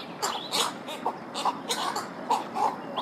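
Cattle egret giving harsh, throaty croaks, about eight short rasping bursts at an uneven pace over three seconds, against a soft background hiss.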